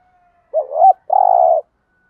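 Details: Decoy spotted dove calling to stimulate other doves, in the thúc gù and gáy gọi styles: a low hooked two-part coo followed by a longer, steady, slightly buzzy hoo, in a quiet setting.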